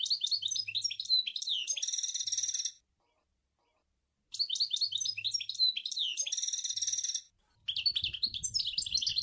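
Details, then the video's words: Goldfinch singing, Sour El Gouzlane: long runs of quick liquid twitters and slurred notes mixed with harsh buzzy trills, broken by a silent gap, light low-pitched handling noise toward the end. "Chant Chardonneret sour el gouzlane"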